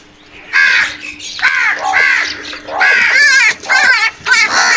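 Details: Loud, wavering, hoarse crow caws in rapid overlapping series from crows fighting over food, almost continuous through the second half, over a faint hum.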